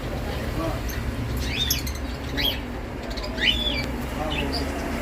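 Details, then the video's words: Birds singing around a rural livestock farmhouse: four short, bright chirps sliding up then down, spaced about a second apart, over a steady low rumble and faint background murmur. "canto de pássaros"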